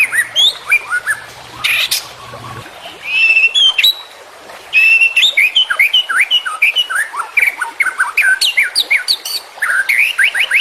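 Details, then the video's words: Long varied white-rumped shama training song with full content for caged competition birds: harsh bursts, twittering, bright rising whistles and fast slurred runs, nearly continuous. "Masteran Murai Batu Full Isian"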